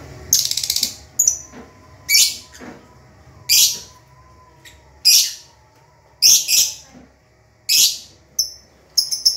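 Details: Pet lovebirds, some calling busily while others sleep or sit in pairs; harsh, broadband screechy chirps in bursts roughly every second, with brief high whistled notes between.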